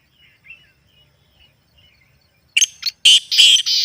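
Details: Black francolin call used to make a kept bird active: faint thin chirps of small birds at first, then a loud burst of harsh, grating, buzzy notes in quick succession.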